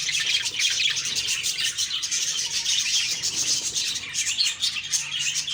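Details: Morning chatter of budgies: an unbroken stream of high chirps, squeaks and warbled notes from many birds at once, even and steady in loudness.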